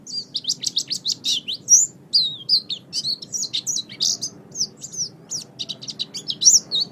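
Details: Pet-bird training master of an oriental white-eye singing: bright, very high twittering notes in quick irregular bursts, sharp chirps mixed with brief slurred whistles, loud and clean against a quiet room.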